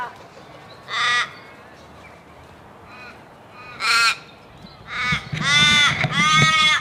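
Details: Crows from a flock calling loudly: single harsh, ringing caws at about one and four seconds, then a rapid, overlapping burst of louder caws near the end, with faint background hiss between calls.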